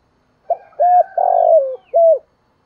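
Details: Spotted dove cooing in a full song of calling, urging and cooing parts: a soft lead-in note, a clipped hoot, a long drawn-out falling coo, then a final short hoot, all low and mellow.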